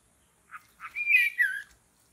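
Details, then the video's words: White-rumped shama in forest during bird trapping: two short chipped notes lead into a loud rich phrase of swooping whistles and a falling slurred ending, all within about a second. "Mikat Burung Murai Batu dihutan"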